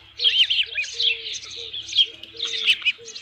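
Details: Osprey with a headless fish at the nest, 27 June 2018, 12:48 PM: quick clusters of high, squealing chirps, alongside repeated short, lower, flat tonal notes.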